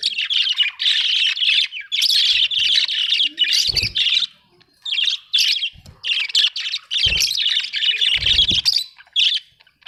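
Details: Loud, steady budgie warbling: dense buzzy chatter in long phrases with brief pauses, plus occasional low thumps.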